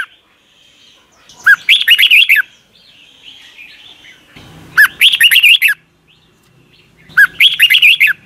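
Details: Thai Red-whiskered bulbul, its song played each morning to teach young caged birds. Three energetic phrases of rapid, rolling whistled notes, each opening with a lower note, about every 2.7 seconds.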